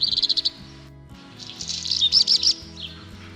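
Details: A black redstart, a Polish bird, sings a quick rattling run of high notes, a short pause, then a scratchy, crackling burst, over a faint low hum.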